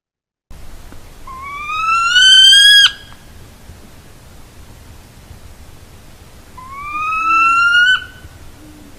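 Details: Two drawn-out, rising agitated whines from a Northern Saw-whet Owl on wintering grounds, each about one and a half seconds long, thin and nasal, slightly louder toward the end.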